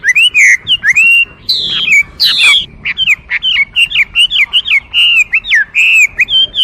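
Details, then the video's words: Chinese hwamei delivering rich, rapid whistled song with twisting slurs and sharp notes in quick succession, over faint background noise. "画眉鸟的声音 The Voice of a Thrush"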